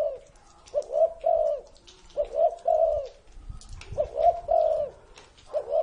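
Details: Elderly spotted dove, reportedly more than thirty years of age, repeating its cooing phrase four times, each phrase a quick pair or trio of soft, mellow hoots rising slightly then falling away.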